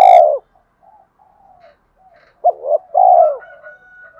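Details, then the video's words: Spotted dove's complete song, said to work well for provoking rival doves: the tail of one long coo, quiet soft notes, then a fresh phrase of two short coos and a sustained low coo. "tiếng cu gáy đủ bài nghe là ghiền và dùng kích bổi rất hiệu quả"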